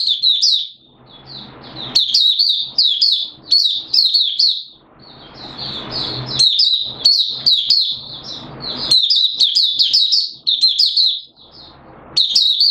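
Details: Malaysian Oriental white-eye performing 'buka sing' open song in Singapore, 29 March 2023, warm humid weather: long run of rapid, high, sweet twittering phrases, separated by brief pauses with soft rustling noise.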